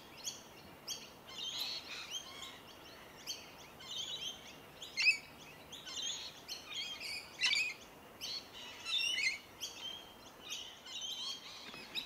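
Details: A group of rainbow lorikeets eats tree violet berries in Melbourne, Victoria, in January, keeping up rapid scratchy chatter with repeated sharp shrieks and buzzy squeals rising and falling in intensity.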